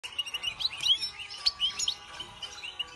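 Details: Goldfinch singing a fast, twittering run of high, bright chirps and trills that rise and fall and come in quick bursts. Soft low background noise sits beneath the song.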